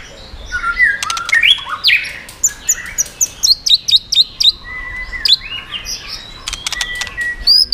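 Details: White-rumped shama switching voices and tail-flicking while singing to provoke other birds; fluty rising whistles and clicks, then a regular run of short sharp notes, ending in varied whistles.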